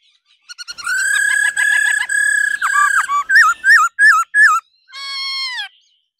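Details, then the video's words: Female laughingthrush calling 'ro ro' to prompt males into intense song: rapid ticking notes build into a sustained harmonic trill, then four loud wavering whistles and a final drawn-out falling note. "Khứu mái ro ro.kích trống hót căng"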